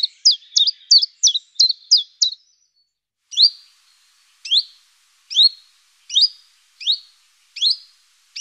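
A common chiffchaff sings short, high, sharply dropping notes. A quick burst of them comes first, then single notes spaced well under a second apart.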